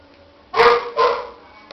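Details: Young cockatiels give two loud, grating rasps back to back, each about half a second long, in a quiet room.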